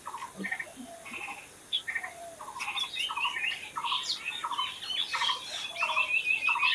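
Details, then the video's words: Mixed bird chorus in nature: short buzzy notes repeated roughly every half second, joined midway by a rapid series of high squeaky chirps that grows louder and denser toward the end. "Natural Birds Chirping"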